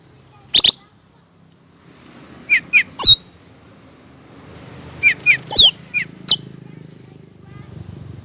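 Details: Sharp, clean cucak rante calls, as heard in the wild, used for training and luring: a double chirp, then falling slurred notes in small groups over a low background hum.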